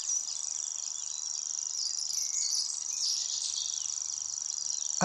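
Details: Grasshopper warbler, a declining Red List species, delivering its high, insect-like reeling song: an unbroken, very high-pitched mechanical trill that runs through the whole stretch with only slight swells in loudness. A click or knock is heard at the end.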